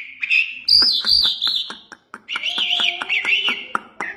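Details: Iranian jal lark singing two long wavering whistled phrases, the first higher, separated by a brief pause, with sharp clicking notes cutting through.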